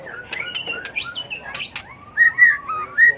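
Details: White-rumped shama in competitive fighting song for training birds to sing against rivals, tail flicking; varied whistled and slurred phrases broken by sharp clicks, louder warbled whistles toward the end.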